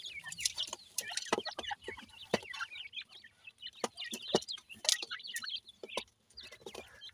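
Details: Young Iranian francolins feeding and fighting their mother: many overlapping high, quick peeps and chirps, interrupted by sharp pecking taps.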